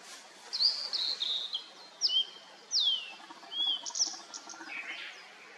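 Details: Several birdsong phrases in misty mountains just after rain, where Blue-and-white flycatchers sing: high whistles, steep downward-sweeping slurs repeated at irregular intervals, and a fainter lower chatter near the end.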